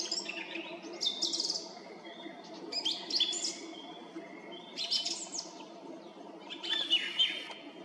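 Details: Song thrush on a treetop near the road to the Red Lakes, Zarechny, singing at 18:50 on 18 April 2021: four bright, high, rapid twittering phrases separated by short pauses, with faint low background noise.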